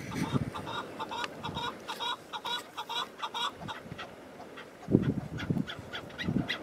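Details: Wild chukar partridge in snow-patched mountains in spring, recorded from a hunting hide in wind; bursts of quick repeated chuck notes, brief pauses, then more chucks, with gusty low wind noise.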